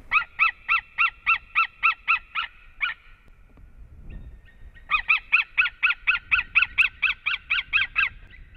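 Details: White-tailed eagles at a nest in Latvia on 7 March, male returning to the female; rapid, evenly spaced yelping notes, about four per second, in two bursts separated by a brief quiet gap.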